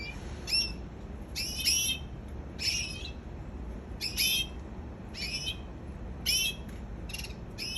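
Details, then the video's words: A canary gives a series of short, bright, high chirps spaced irregularly through eight seconds, some phrases doubled, against a constant low hum. "Canary singing"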